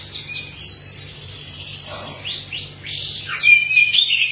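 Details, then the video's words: Orange-headed thrush in vigorous, sustained song sings a rich, fast run of varied whistled phrases, sweeping rising and falling notes with sharp high accents, over a faint low hum. "Anis Merah Gacor Teler"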